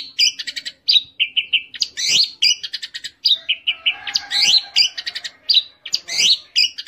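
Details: Orange-headed thrush delivering unbroken teler-style song: rapid chattering trills alternate with clear downslurred whistles, and the pattern cycles over and over.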